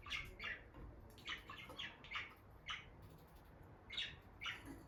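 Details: Captive bonded pair of peach-faced lovebirds near a nest box: sharp, squeaky chirps given singly or in quick pairs at irregular intervals over a low background hum.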